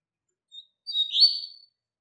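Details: Double-collared seedeater tutor song for young birds: a short soft high note, then a brief buzzy, warbling burst of under a second, quieter than the surrounding phrases.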